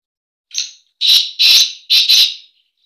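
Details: Black francolin, the kala teetar, giving a call linked to breeding: a soft short opening note, then four loud harsh grating notes in two pairs over about a second and a half, on a silent background.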